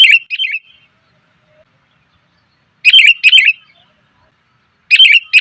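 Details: Female sooty-headed bulbul calling to draw in males, a lure recording: quick clusters of two or three buzzy, slurred chirps separated by pauses of about two seconds, otherwise quiet.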